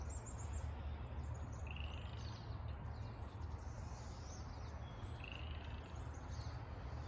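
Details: Pine siskin flock in Jericho Park, Vancouver, early March 2021, with a Pacific chorus frog nearby: faint, high twittering chatter and two rising, buzzy 'zreee' notes over a steady low rumble.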